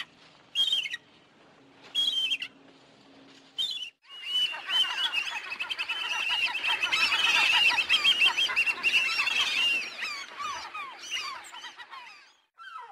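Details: A few separate gull squawks, then a dense, overlapping chorus of many gulls calling at once, fading toward the end.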